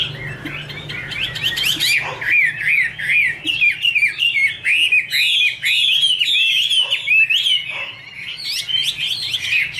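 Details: Female Chinese hwamei singing 'te', backed by a male: a long run of loud, fast, down-slurred whistled notes, about two or three a second, with sharp overtones and brief gaps.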